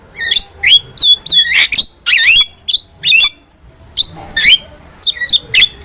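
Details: Black-winged myna singing as a master recording for training cage birds: loud harsh squawks and whistled notes, many sharply rising or falling, in bursts about every half second, with a broad raspy screech near two seconds.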